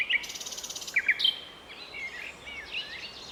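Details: Common nightingale in a city park, Strzelce Opolskie, Poland, May 2012: a dry rattle, clipped notes and a pure level whistle, followed by softer chattering from other birds.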